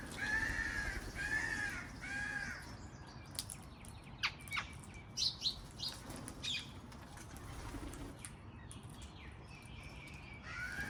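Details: Wild parrots in a garden: three drawn-out, harmonic, nasal calls in the first two seconds, followed by wing flaps and scattered short chirps over a low rumbling background.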